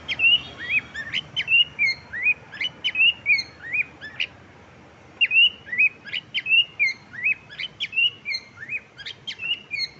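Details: A happy pet cockatiel singing while playing, giving bright, rising whistled chirps in quick, uneven bursts.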